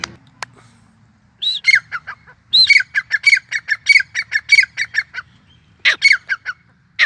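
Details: Calling grey francolin (Sindhi teetar): a rising whistled opener followed by a fast series of loud, sharp, high repeated notes, about two per second, then a pause and a second rising burst, over a faint low hum.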